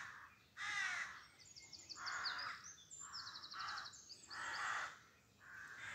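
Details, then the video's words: Rooks at about 5am on 25 May 2024 in an urban dawn chorus near a small spinney in Pulford, Chester, Cheshire give harsh, hoarse caws about every second, some rising and grating, with thin, rapid chirps from smaller birds overhead. "Rook bird song 5am"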